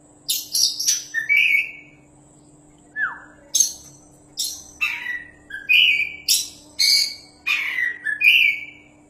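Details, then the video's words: Caged Oriental magpie-robin, a champion kacer used as a master for training other birds, delivering a vigorous song of clear whistles and scratchy, noisy bursts, with one downslurred note, in short repeated phrases; low steady hum in the background. "BURUNG KACER JUARA GACORRR PAS BUAT MASTERAN"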